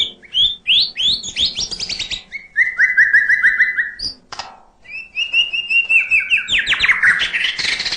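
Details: White-rumped shama in full-fill song, used to rouse lazy singers: rapid ascending whistle series, a sustained warbling whistle, a brief pause, then a long note breaking into dense, high, jumbled twittering.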